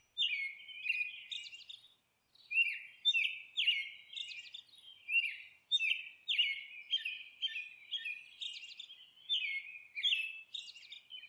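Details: Nesting monk parakeet uttering a long run of raspy, chattering squawks, irregularly spaced, with a short break near the start.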